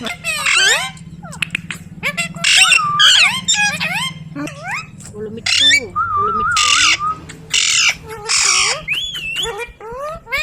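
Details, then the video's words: Ringneck parrot kept as a pet, mixing talking with whistles: bursts of harsh chatter, bright gliding whistled phrases and a wavering trilled tone, with a low hum in the background. "Talking Parrot video|Ringneck parrot video|Parrot sound video|Parrot voice video"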